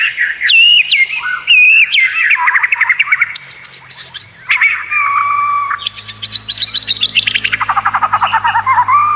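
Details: White-rumped shama in full varied song for training contest birds: sliding whistles, a steady held tone, then long, fast trills of high repeated notes.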